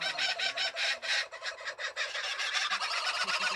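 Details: Captive male and female kookaburra, newly paired for breeding. A quieter, rapid stream of harsh, chuckling notes rises and falls in loudness, ending in a few softer low grunts.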